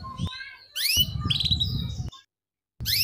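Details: Female canary 'cuit cuit' chirps meant to prompt young canaries to sing; a couple of bright rising chirps and a brief twitter amid low rumbling noise, then silence before another chirp begins.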